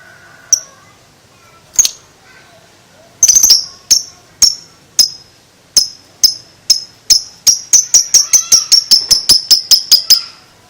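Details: Lovebird aged two months building toward ngekek: sparse sharp high clicks that gradually speed up into a dense, rapid string of chips near the end.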